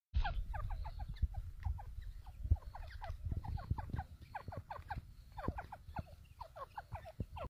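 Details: A female grey francolin with her chicks: a busy chorus of short, high, down-slurred chick peeps, several each second from overlapping callers, over steady low rumbling noise.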